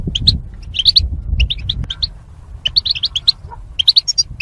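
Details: Caged goldfinches kept as mating pairs behind wire barriers, used for singing training; quick bursts of high, twittering chirps in rapid clusters, with a pause mid-way before another run of bright chirps; low rumbling background.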